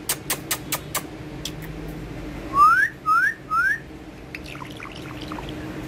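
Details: Ringneck parakeet playing and talking along with a mobile phone in Urdu and Hindi; several sharp taps open, followed by three loud rising whistled notes about half a second apart, then faint scattered chirps.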